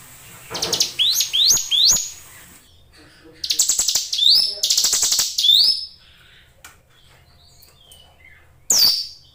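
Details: Caged Hill Prinia singing vigorously: quick runs of short, stuttering, rising chips and rasping buzzy notes in two bursts, then one sharp, high downslurred note near the end.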